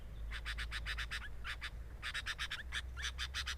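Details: Near the nest of a sooty-headed bulbul, dense rasping pulses come in quick bursts, each run ending in a short downward-slurred note, with brief gaps between runs.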